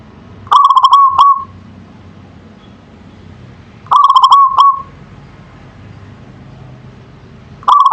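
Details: Local zebra dove in full manggung song, giving rolling cooing phrases about every three and a half seconds. Each phrase starts with a stutter of pulsed notes and ends in a smooth sustained coo, with quiet pauses between.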